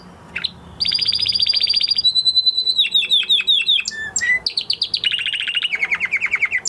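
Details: After its moult, a male canary sings a continuous run of rapid trills, each tour a string of fast repeated notes, shifting pitch from high to lower and back, with a short slurred upsweep near the start.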